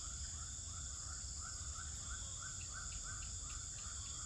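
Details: Swiftlet calls from a bird house in Pekanbaru, Indonesia: a regular series of brief, slightly rising chirps, about two to three per second, set against a constant shrill hiss and low background hum.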